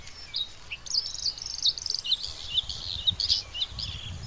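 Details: Bluethroat, the nilgola fidda of Bengali, pouring out a dense, scratchy stream of high chirps and twittered notes, with steady low background rumble.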